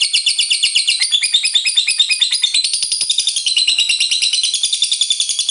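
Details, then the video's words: Lovebird singing a long ngekek trill, played to provoke rival lovebirds into singing: continuous dense high chattering trill, rapid repeated notes throughout with steady rhythmic pulses, no pauses. "Lovebird GACOR Ngekek Panjang FULL EMOSI, RANGSANG LB Lawan Ikut Bunyi NGEKEK"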